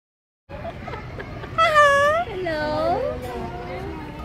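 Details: Umbrella cockatoo talking: a short string of high, voice-like syllables followed by a loud, drawn-out wavering phrase and then a falling, sliding utterance, with quieter chatter trailing off.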